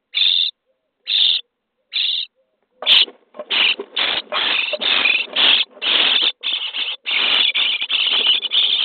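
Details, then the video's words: Common starling nestlings in a nest box on day 23, being fed: three separate harsh, hissing bursts open, then the calls crowd into a near-continuous raspy, buzzy begging chorus of overlapping broadband screeches. "Szpaki w budce dzień 23 - karmienie piskląt"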